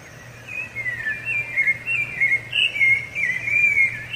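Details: Rufous-bellied thrush singing, a song used to mark territory and attract a female: clear whistled phrases around a steady pitch, rising and falling slightly, repeated in quick succession with brief gaps, a low steady hum underneath.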